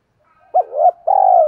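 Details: Spotted dove calling as a lure to draw in wild doves: one sharp low coo sliding into a rising slurred note, followed by a long, rolling, vibrating croo that fades at the end.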